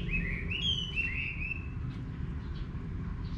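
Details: Chinese hwamei song in a rural Vietnamese garden: a few clear, slurred whistled notes rising and falling in quick succession, then fading, with steady low background noise.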